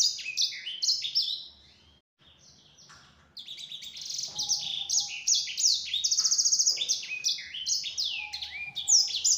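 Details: Song of a yellow-fronted canary, played to provoke other canaries into replying. Fast, high chirping phrases of rising and falling whistled notes, a brief pause near two seconds, then a denser, livelier burst with a faint low steady tone underneath.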